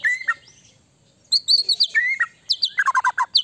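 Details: White-rumped shama song meant to make another shama respond quickly: high piercing whistles, a descending slurred phrase and rapid strings of crisp repeated notes.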